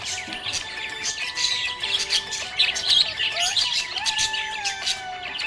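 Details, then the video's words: Budgie chirping happily, a continuous stream of sharp twittering notes with brief squeaks, while a song with held musical tones plays underneath. "Happy budgie chirping sound"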